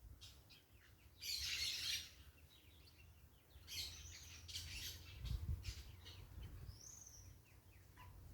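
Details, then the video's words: Outdoor nature sound with parakeets making noise: a loud rasping squawk burst near the beginning, later shorter harsh calls and a thin whistled note, over low rumbling wind. "Quem gosta do som da natureza com periquitos fazendo barulho"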